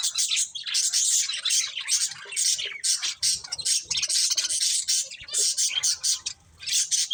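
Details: Budgerigars feeding on corn fill the recording with continuous bright, buzzy chirping and squeaky warbles in rapid overlapping bursts, broken by only a few short pauses.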